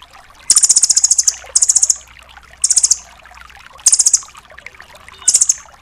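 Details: Velvet-fronted nuthatch, called rambatan doraemon, in tembakan delivery for training songbirds: five high, rapid, machine-gun-like trills, the first longest at about ten notes, separated by pauses of up to a second.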